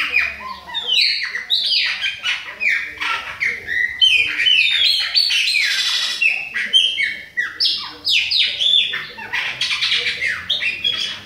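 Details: Autumn song of a young Chopi blackbird from Bahia: a fast, busy stream of downslurred whistles and sharp chirps, repeated rapidly and continuously, loud and varied throughout.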